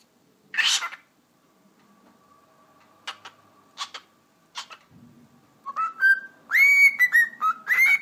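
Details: Pet cockatiel moving from talking into a whistling show: a raspy burst, a faint steady tone, scattered clicks, then clear pure whistled notes stepping up and down in a quick tune near the end.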